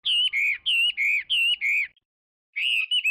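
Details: Chinese hwamei song: loud, clear whistled phrases of falling and wavering notes, repeated about five times in quick succession, a short silence, then the phrase resumes.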